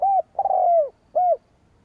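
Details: Spotted dove call used to lure rival wild doves, a mellow arched coo, then a long, slightly quavering croon sliding downward, and a short closing coo. The background is quiet.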